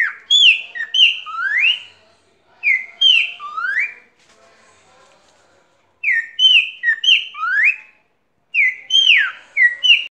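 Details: Tame pet cockatiel singing while perched on a hand, one of two tame birds: clear whistled phrases of rising and falling slurred notes, delivered in bursts of about two seconds separated by short pauses.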